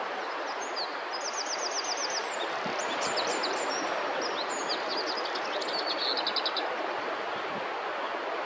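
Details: A very vocal male lesser whitethroat (Curruca curruca) at Kirkcaldy, Fife, on a dull early morning, 7 May 2023, gives quick, dry, high rattling series of ticking notes, twice, under a steady roar of wind or distant traffic.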